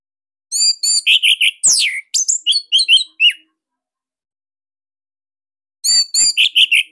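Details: Bali orange-headed thrush in a cage, a master recording to lure silent birds into singing; a dense string of sharp chirps and one high downslurred whistle, a long pause, then more fast chirping.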